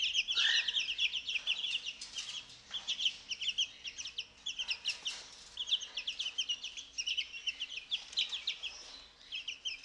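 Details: Two-week-old chicks loving their mealworms, let out each morning; repeated bursts of high, clipped peeps from several birds, a lower trilled note near the start, then pulsing rapid chirps.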